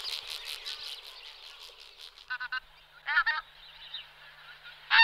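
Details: Pink-footed goose, a background murmur of a distant flock with clear nearby calls: short bursts of two or three quick honks, repeated several times, the last one loud and close.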